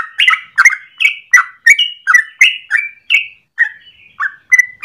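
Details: Yellow-vented bulbul in the morning runs through a fast, bubbly string of short mid-pitched whistled notes, nearly three each second, some slurred down, some rising, with no other sounds.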